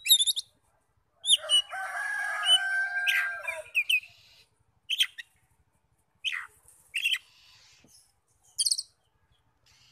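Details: Oriental magpie-robin (kacer) song used to stir other magpie-robins into singing: a long harsh, buzzy, rasping phrase of about two and a half seconds, then scattered short sharp chirps spaced by silences.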